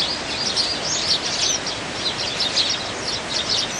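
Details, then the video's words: Dozens of wild Eurasian tree sparrows competing for food in winter chatter at once, a dense continuous jumble of high, sharp chirps with no pause, over a light hiss of outdoor noise. "참새들의 겨울 나기 수십마리 먹이 경쟁"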